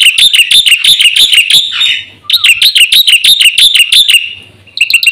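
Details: Lure and master recording of a caged-bird black-winged myna: energetic bursts of rapid, shrill chirps, three per second, broken by a short pause and ending with a few quick notes.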